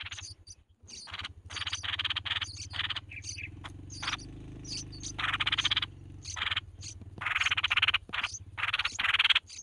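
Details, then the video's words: Chicks of a red-whiskered bulbul begging while the mother brings food: rough, scratchy chattering bursts broken by short gaps, growing louder toward the end, with a low rhythmic mechanical hum underneath. "Chim chào mào mẹ mồi cho con cực hay"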